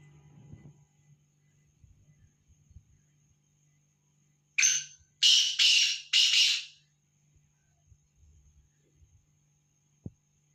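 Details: Black francolin calling: four harsh, grating notes in quick succession over about two seconds after a quiet stretch, with a faint steady hum throughout and a single sharp click near the end.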